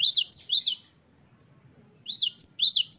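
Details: Two brief bursts of great tit wucit-wucit song, three ringing high phrases each, with a silent gap of about a second between them.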